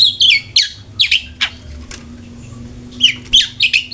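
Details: Long-tailed shrike lure for getting kept birds to sing: quick clusters of sharp whistled and chattering notes, a brief harsh rasp, then a short pause before the chatter resumes.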